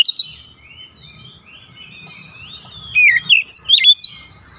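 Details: Oriental magpie-robin song for training young birds in the 'nembak rapat' style: a brief note pair, then soft thin warbling over low hum, ending in a loud burst of quick, twisting whistled notes.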